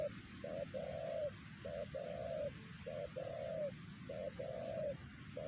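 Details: Spotted dove, a wild bird at Siosar that was trapped with a decoy, calling so strongly that other doves do not answer: short mellow coos in phrases, a brief note followed by a longer drawn-out coo, repeated steadily over a low rumble.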